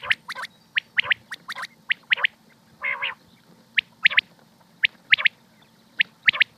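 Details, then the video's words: Common quail (batair) from Pakistan: clipped, sharp high notes in pairs and triplets repeated every second or so, broken once by a short nasal rasping call, over a faint low hum. "quail sounds 2023|batair ki awaz 2023|pakistani batair|top sounds of batair"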